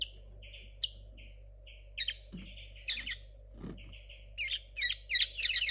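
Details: A 2022 linnet hybrid, young and still sorting out its song, gives scattered short high chirps and paired notes that build into quicker twittering at the end, with occasional low thumps and a continuous hum.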